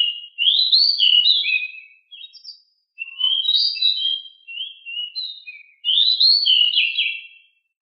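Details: A captive pied bushchat (Saxicola caprata) sings high, sweet warbled phrases of quick rising and falling notes, about two seconds each, with short pauses between them.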